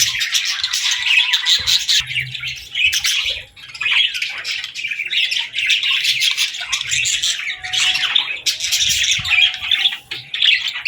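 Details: Baby budgerigars playing and talking, giving a dense stream of high, scratchy chirps and chatter with brief pauses.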